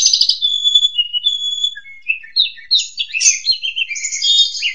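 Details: Varied ngentrok song of an Asian pied starling, used as a training therapy for pet magpie robins: bursts of harsh chatter, short whistled notes and tumbling scratchy phrases, dense and continuous throughout.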